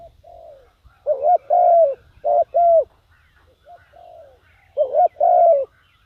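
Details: Calling decoy spotted dove luring wild doves: soft low coos answered by loud emphatic double and triple coo notes, a quieter coo in between, faint background rumble.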